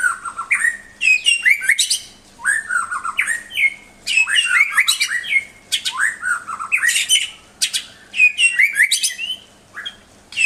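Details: Tutor song of a white-rumped shama for pet songbirds: four similar energetic phrases, roughly every two and a half seconds, each a rising whistle into a dense harsh chattering burst. A faint low hum lies beneath.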